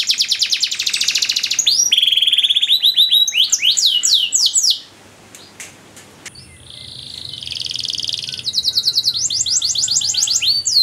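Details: Canary training song with long, ornate phrasing: bright trills and swooping whistles, a near-silent gap, then buzzy and rolling trills return over a faint low hum.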